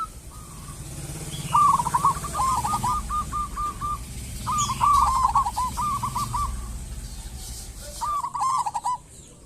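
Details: Spirited local zebra dove song: rolling cooing phrases at mid pitch, each opening with a fast stutter and easing into spaced coos, repeated several times over a low rumbling background.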